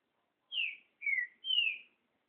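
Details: Great thrush song in Brazil, called trinca-ferro: three loud whistled phrases, each sliding downward, given with short pauses in a quiet setting.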